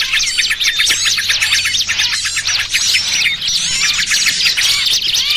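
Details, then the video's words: Dense chorus of small birds used as a trapping lure, mixing noisy trucukan calls with distressed 'burcil kejepit' cries: overlapping high, sharp chirps and quick upswept and downslurred notes, continuous and loud throughout, with a faint low hum beneath. "Suara Pikat Burung Kecil Paling Ampuh!! trucukan ribut kombinasi BURCIL KEJEPIT"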